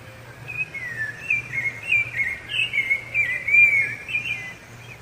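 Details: Rufous-bellied thrush singing for territory and courtship: a steady flow of sweet whistled phrases, with slurred descending notes and short upward flicks, continuing nearly without a break over a soft low hum.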